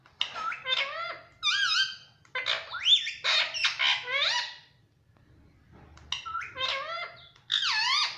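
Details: Talking pet Indian ringneck parakeet asking for roti, producing bursts of rapid, speech-like warbled syllables with sliding pitch, grouped in phrases separated by short pauses, with one longer quiet gap midway.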